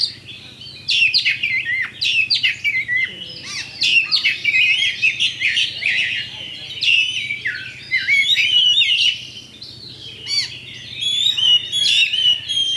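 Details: Lure song (pancingan) from a champion Oriental magpie-robin, used to set rivals fighting: a dense, varied outpouring of harsh chirps, buzzy notes and slurred whistles, pausing briefly near ten seconds, then resuming with clear whistles.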